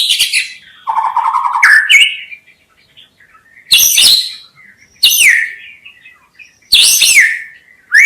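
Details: White-rumped shama, known locally as murai batu, singing for trappers' lure use: high notes and a low steady whistle, then loud harsh high bursts about every one and a half seconds.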